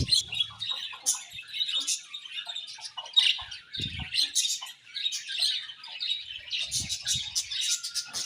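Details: Budgerigars chatter without pause, mixing clear squeaky chirps, short squawks and warbled notes, with a couple of soft low knocks in the background.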